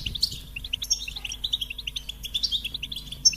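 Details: A goldfinch sings quick, evenly spaced tinkling notes running into a lively twitter, with high whistled accents and a clean, quiet background.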